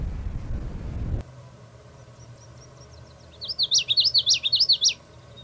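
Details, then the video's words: Common yellowthroat singing a loud, rhythmic phrase of repeated rolling, warbled notes for about a second and a half after a quiet stretch; faint thin notes come before it and low rumbling noise opens the recording. "Mascarita Común"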